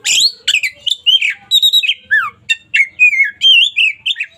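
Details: Oriental magpie-robin of local type in lively full song, intended as daily tutor material: an almost continuous run of varied whistled slurs, buzzy notes and quick trills. Phrases change every half second or so, loud and clean.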